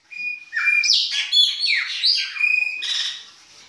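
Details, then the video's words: Chopi blackbird in winter, singing its baianinho song: a continuous rich run of liquid whistles, gurgles and high slurred notes, loud and varied throughout, with a steady tone in the middle. "PÁSSARO PRETO BAIANINHO E SUAS CANTORIA DE INVERNO !"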